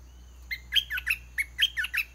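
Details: Red-whiskered bulbul kept as a caged decoy, singing so a wild bird comes down to fight: a lively run of about seven bright, whistled, warbling notes in quick succession over a faint low hum.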